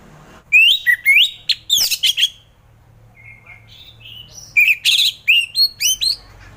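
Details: Relaxed ngeplong singing by an orange-headed thrush, meant to stir reluctant thrushes into song: loud swooping whistles and harsh high bursts, a soft warbled interlude, then another lively phrase of looping whistles.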